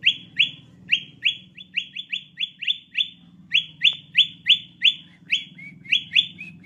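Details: Sooty-headed bulbul calls used as a bird lure. Loud, clipped rising notes tumble out at roughly three per second, slightly uneven in spacing, with a few softer, flatter notes near the end and a low hum beneath.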